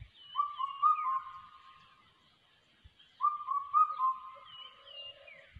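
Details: Changeable hawk-eagle chick giving drawn-out wavering whistles, two long bouts about three seconds apart, with fainter higher whistled notes around them and occasional soft thumps.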